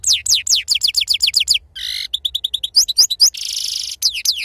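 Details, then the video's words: Dense goldfinch song in the authentic wild sarfati style. Fast descending chirps repeated in series, a brief nasal note, clipped ticking notes, and a buzzy rattling trill run together without a break. "أفضل تغريد بندوق حسون خلوي أصيل الله يبارك لصحابو ما شاء الله لغه خلوي أصيل سرفاتي"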